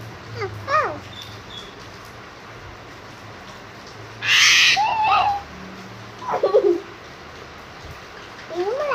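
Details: Asian pied starling giving loud, rasping screams, one long harsh burst near the middle and a shorter one later, interspersed with quick rising and falling whistled notes.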